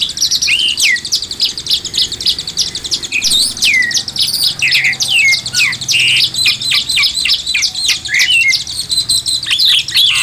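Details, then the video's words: Oriental magpie-robin in a masteran (song-tutoring) recording: loud, continuous, rapid song packed with high whistles, sharp chips and slurred downward notes, with hardly any pause throughout. "Masteran Burung Kacer"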